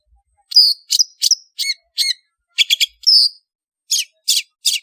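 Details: Long-tailed shrike lure call for gathering birds: a series of loud, scratchy, high-pitched notes in quick groups of two or three, a drawn-out buzzy note, then harsh rasps.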